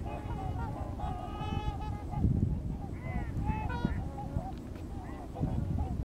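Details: Migrating trumpeter swans in Missouri give a series of horn-like, nasal honks. The calls come singly and in short overlapping bursts through six seconds over a steady low rumble of wind or distant background noise.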